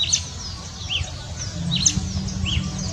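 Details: Red-cowled cardinal at Boa Esperança in Minas Gerais, Brazil, giving a few clear arched whistles and sharp high chips, spaced under a second apart, against constant low-frequency background noise.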